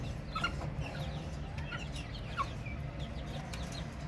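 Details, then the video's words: Several baby chicks cheeping with short, sharp, falling peeps scattered unevenly, a brief louder note now and then, over faint low background noise. "Chicks Chirping Sounds - Baby Chicken Sounds"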